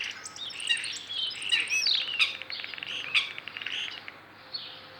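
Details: A starling runs a rapid, jumbled medley of high chirps, clicks and squeaky whistles, about three notes a second, with faint background hiss; said to mimic chicken sounds.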